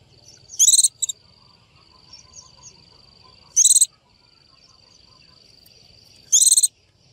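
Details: Female Japanese white-eye calling to a male: three short, harsh, buzzy bursts of high notes about three seconds apart, with faint chips, a continuous thin high whine and low rustle between them.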